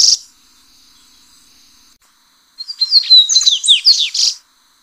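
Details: A short chip and a faint steady high tone are followed by a yellow-bellied seedeater's full song phrase of rapid whistles, down-slurred chips and a final buzz, as original song for training captive birds.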